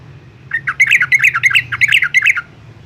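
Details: Young yellow-vented bulbul in Semarang, Central Java, sings a quick burst of bubbly, chattering notes around two seconds long, loud and mid-pitched, with faint low hum beneath.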